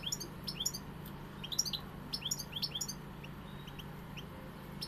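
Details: European goldfinch singing in the pegada song style: rapid, bright twittering of short high chirps and tinkles in quick bursts, with brief pauses, over a steady low hum.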